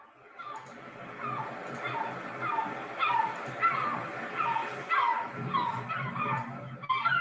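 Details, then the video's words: Herring gull, among summer seabirds of Île au Perroquet in the Gulf of St. Lawrence, gives a run of yelping, downslurred calls, about two each second, over a steady rush of wind or surf. "play you that again. Here's the herring gull. Right,"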